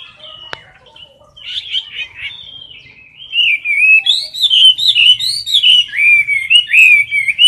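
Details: Chinese hwamei singing competitively in its cage, close to the microphone: after a sharp click and quiet opening notes, the song swells into rapid, rich whistled phrases with wavering slurs and twittering overtones, repeated without pause.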